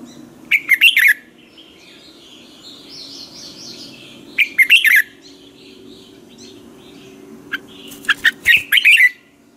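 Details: Red-whiskered bulbul lure bird in morning training song: three bursts of rapid, bright warbled chirps several seconds apart, with soft twittering and a low hum between phrases.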